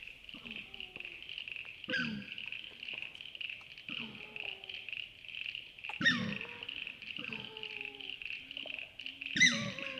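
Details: Australasian swamphen at a wetland at night in Wollemi National Park, NSW, Australia, giving comical grunts and squealing calls: loud harsh squeals with descending whines every few seconds over a steady high insect drone.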